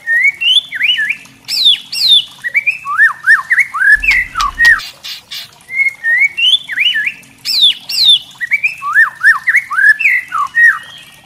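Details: White-rumped shama (murai batu trotol) kretekan used to rile other shamas: fast rolling phrases of looping whistled notes, high upslurs, a short crackling burst midway, then the phrase repeats.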